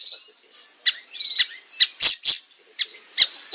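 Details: Quieter siri-siri song for training songbirds: high buzzy notes and sharp chips in irregular sequence, with a few loud squeaky accents near the middle.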